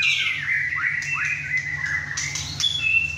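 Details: Captive young male White-rumped shama, about 11 inches, just through his first moult, whacking hard at home alongside other birds: a long sweeping whistle, clear and held, broken by short upward flicks and sharp accents.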